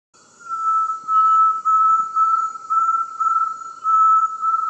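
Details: Inhambu-serra tinamou song: a pure, level whistle held at one steady pitch, swelling and fading in pulses about every half second, with a faint constant high hiss behind it.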